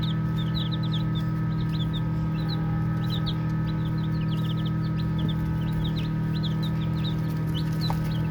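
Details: Playful baby chicks keep up a busy chorus of brief high-pitched peeps, many birds calling at once in irregular clusters, over a continuous low electrical-sounding hum.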